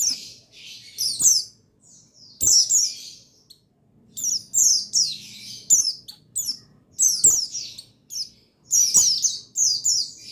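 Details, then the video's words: Buxtoni white-eye (pleci) male singing, used as a stimulus for white-eyes slow to sing. Clusters of high, squeaky, falling notes come in dense bursts, with brief pauses between groups. "Buxtoni Menaikan Emosi Burung Pleci Bahan Agar Pleci Bustomi Gacor Cepat Bunyi"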